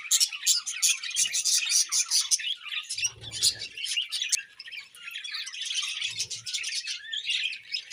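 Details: A flock of budgies chatters at morning feeding with fast, dense, scratchy chirps that barely pause, plus occasional low thuds.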